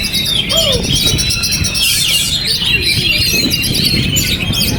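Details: A kept oriental magpie-robin keeps singing in strong wind. Bursts of rapid high trills alternate with clear whistled slurs and chattering notes, and steady wind noise sits below.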